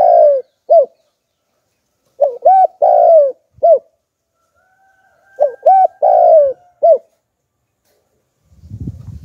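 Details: Decoy spotted dove with the 'Hạp Bổi' voice used to lure wild doves. Gives short, low coo phrases: clipped hoots, then a drawn-out falling note, repeated in bursts with pauses. A faint low rustle is heard at the end.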